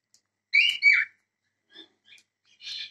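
A cockatiel gives a loud two-part whistled call, followed by softer chirps and a brief raspy note.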